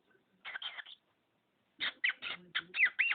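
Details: Talking pet budgerigar that imitates phrases and its owners' sneeze, giving raspy, scratchy chatter: a short burst, a pause, then a quick run of buzzy syllables ending in a few rising and falling notes.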